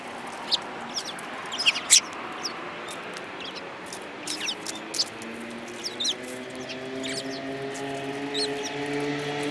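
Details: Sparrows, among them a yellow-beaked one, recorded on 21 January 2018: scattered short sharp chirps, a louder cluster near two seconds, then sparse single notes over steady low hum and background noise.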